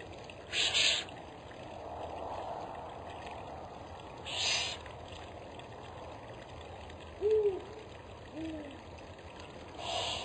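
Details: A spotted eagle-owl, its mate heard singing during a food delivery of what seems to be a bird, gives two soft, low hoots about a second apart, the second slightly lower, with hissy rustling between.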